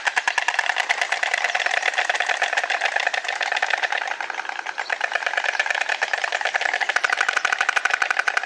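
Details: White stork (Ciconia ciconia) bill-clattering recorded in the wild: a long, dry, rapid wooden rattle that runs steadily throughout and quickens into sharper bursts near the end.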